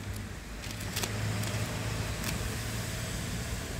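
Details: Steady road traffic rumbles throughout, with a few short sharp clicks and no animal voice.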